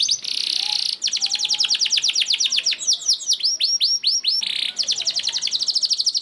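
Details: Lure song of a canary to stir other canaries into song: a harsh buzzy burst, then a fast rhythmic trill of sharp descending notes, arched whistled loops, and another buzz before more rapid trilling.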